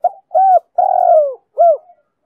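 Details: Low, mellow phrase from a female spotted dove calling to stimulate males: a short opening note, an arched coo, a long downward-sliding coo, then a closing arched note trailing off softly.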